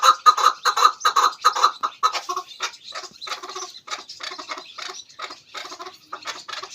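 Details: Chukar partridge sound used as a hunting lure: loud, quick clucks for about two seconds, then softer, irregular chattering notes that fade toward the end.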